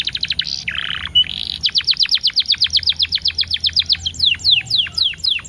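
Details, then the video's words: Canary singing as a lure to stir other canaries into song, paced with ten-second pauses: short buzzy and rattling phrases, then a long, even series of sharp high chips, about four per second, ending in slower downslurred whistles. "PANCINGAN KENARI TERBAIK DENGAN JEDA 10 DETIK LEBIH EFEKTIF || PASTI GACOR"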